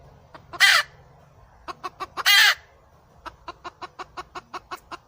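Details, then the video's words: Wild junglefowl, named in Hmong, giving two short harsh crows followed by a long run of quick, evenly spaced clucking notes. "suab poj qaib qus"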